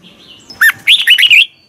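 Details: Red-whiskered bulbul morning song in the double twisted voice style, used for training: a soft lead-in, then one rapid phrase of four or five bright, looping whistles.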